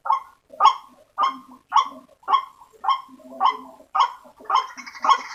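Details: White-breasted waterhen lure recording meant to draw waterhens in: harsh, croaking notes repeated about twice a second in a steady series, each with a brief trailing rasp, growing busier and noisier toward the end.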